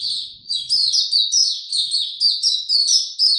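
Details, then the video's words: Caged white-eye in song without supplements: bright, high, down-slurred chirps strung in quick repeated phrases, loud and continuous. "Mata Puteh Hercules buka sing"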